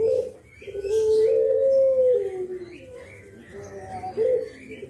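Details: Spotted dove from Java, nodding as it gives the kuk geruk call used to lure its kind; a short coo, then a sustained slightly rising and falling coo, with a final brief note.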